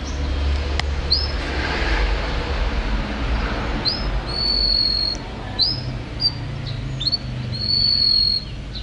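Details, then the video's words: Champion canary song heard through steady low noise: scattered bright upswept notes and two long level whistles held high, separated by short gaps. "Suara Kicauan Burung Kenari Juara"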